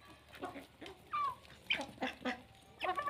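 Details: Morning calls from a flock of chickens kept with ducks and guinea fowl: short nasal clucks and a downslurred squawk, repeated irregularly at about two per second.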